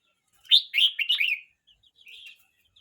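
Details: Red-whiskered bulbul, a young bird aged 12 months 29 days, singing one quick warbled phrase of four or five bright, bubbly notes that rise and fall, then a softer short trailing phrase after a pause.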